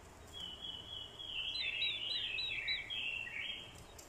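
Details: Orange-headed thrush decoy, a female's call provoking fighting song: a continuous run of twisting, warbled whistles with dipping slurs over noticeable background hiss and low rumble.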